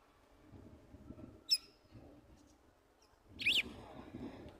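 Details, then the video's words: Red-cowled cardinal female aged one year two months, singing as she turns in the nest and pulls straw to excite her mate: a thin high note, then an arched whistled note a second later, with faint background noise. "GALO DE CAMPINA FÊMEA CANTANDO"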